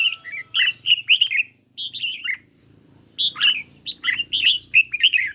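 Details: In a singing duel with a phone recording, a caged red-whiskered bulbul gives two bursts of clear, bubbling whistled notes, including high upslurred notes, split by a brief pause, with a low hum underneath.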